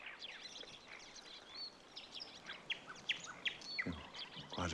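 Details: Marsh warbler singing at night in a bird grove in summer, starting again and getting into its stride: rapid, varied chattering phrases of sharp clicks, buzzy notes and high whistles, growing louder toward the end over soft background noise.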